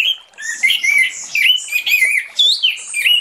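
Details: Continuous energetic warbling from an orange-headed thrush singing openly in the morning as a lure: rapid, varied whistled and chattering notes flow without pause, looping up and down in pitch.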